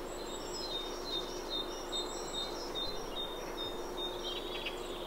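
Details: A Great Tit sings a fast, loud 'teacher teacher' song, about two phrases a second, over a low rumble, with magpies chattering behind, probably a family group. Recorded in the Chafford area of Thurrock in June–July, when numbers are surging.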